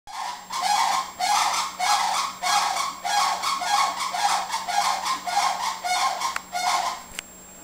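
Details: Sandhill crane, one of a bold, habituated wild pair, gives loud, rolling, rattling bugles, roughly ten in quick succession, over a low steady hum.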